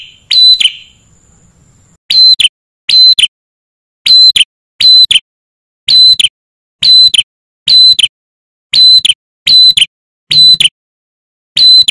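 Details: Loud, shrill electronic beeps repeat in short bursts every second or so, like a smoke alarm, with no animal voice heard.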